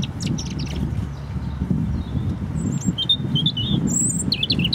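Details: A European robin singing in Hope Park, Keswick, Cumbria: thin, high, liquid warbles and quick trilled phrases in short bursts over a steady low rumble of wind or distant traffic.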